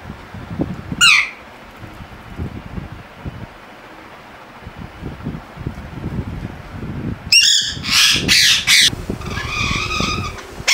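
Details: A pet talking rose-ringed parakeet gives a sharp downward squawk, then a burst of harsh, speech-like syllables ("Mitthu Mitthu") and rasping calls near the end, over low rumbling background noise.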